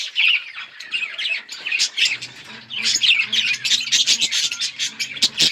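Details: Several budgies chirping while playing with each other, recorded October 30, 2023: a dense, overlapping chatter of rapid high chirps and scratchy squawks, nearly continuous with brief dips, and a faint low hum partway through.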